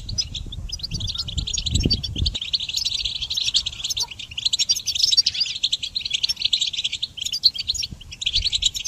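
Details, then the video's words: Goldfinch song as a songbird-training recording: a long, unbroken flow of twittering and buzzy trilled phrases, lively and high, with a low rumbling thud early on and a calmer background afterward. "Goldfinch Song Training"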